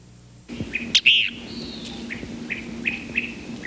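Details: Western Kingbird, North American flycatcher and mostly summer resident, giving its bickering, sputtering song, often heard before first light: sharp sputtering chatters, a burst of bickering notes, then short high kip notes about every half second; faint low hum.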